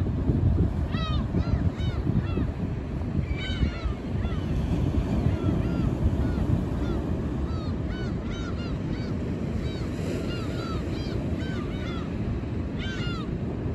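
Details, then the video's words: A flock of black-tailed gulls feeds at a rocky-shore tide pool, skimming it perhaps for trapped small fish, giving overlapping mewing, cat-like calls several times a second over a steady roar of surf and wind. "ウミネコ群れ 潮溜まりで賑やか集団漁"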